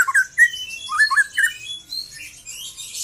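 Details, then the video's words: Young white-rumped shama giving trotol song, a short run of bright, rolling whistled chirps followed by fainter, high squeaky twitters. "KICAU BURUNG MURAI MUDA LEPAS TROTOL"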